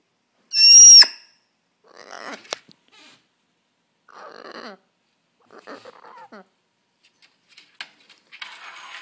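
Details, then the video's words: Pet bird excitedly playing with bells and making odd sounds: one loud high pure whistle near the start, then scattered soft scratchy rasps, clicks and faint ringing over several seconds in a quiet room. "going crazy playing with bells and making odd sounds"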